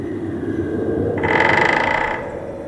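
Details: In Korea's old-growth Gwangneung temperate forest at winter's end, a woodpecker drums a rapid, even roll of beak strikes on wood lasting about a second, pecking holes to reach larvae, over a low background hum.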